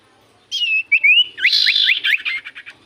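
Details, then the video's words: Lure song of a common iora intended to draw replies from other birds: a long downslurred whistle, a rising slur, then a quick series of short upward-sweeping notes. "Pancingan Burung sirtu cipoh gacor sekali putar Burung sirtu cipoh Diam Langsung nyaut"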